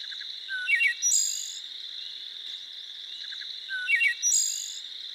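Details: Wood thrush in forest gives two flute-like song phrases about three seconds apart: soft low notes, a liquid rolling middle, then a high shimmering trill, over a steady insect hum.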